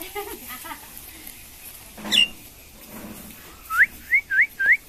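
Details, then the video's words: Talking Indian common myna finishing with four quick, evenly spaced rising whistles, each a sharp upward slur, after a stretch of faint room noise and a brief rustle. "Shalik pakhi kotha bola Indian Common Moyna Bird Kotha Bola Bird Talking"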